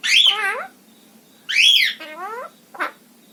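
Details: Pet female parrot indoors giving harsh, harmonic squawks that arch down in pitch, two long calls about a second and a half apart, then a shorter buzzy note and a brief sharp chip.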